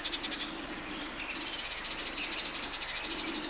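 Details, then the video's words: Sardinian warbler calling in a riverside grove of the Matarraña in June 2011: dry, rattling bursts of rapid ticking notes, roughly ten per second, repeated almost without pause through the clip, with faint low hum beneath. "Voces de Curruca mirlona"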